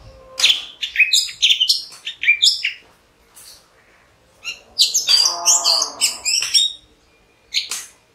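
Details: An orange-headed thrush sings quick bursts of high, twittering, scratchy notes, pausing between phrases, with a louder tumbling passage over a faint hum near the end and a final short note.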